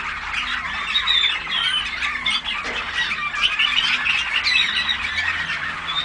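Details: Juvenile Waterslager (Malinois) canaries, a number of birds, dated 14 August 2009, producing continuous overlapping twittering, thin whistled notes and rapid trills, with a brief dip in loudness midway.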